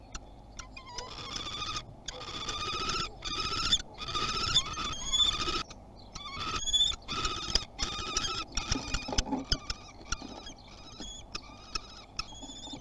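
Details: Common kestrel at a nest box in Théding, France, on 30 March 2021, first visit of the season: a string of shrill, quavering whine calls that breaks into shorter notes and scattered clicks and taps.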